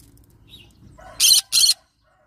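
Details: A yellow-sided green-cheeked conure parrot gives two rasping, broadband screeches in quick succession, each about a fifth of a second long. Soft low background noise comes before them.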